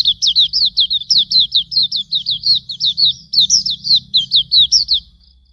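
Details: Tutor song of Hume's white-eye for training cage birds: a long, steady run of about twenty sharp, high notes, each slurring downward, delivered rapidly and evenly before trailing off.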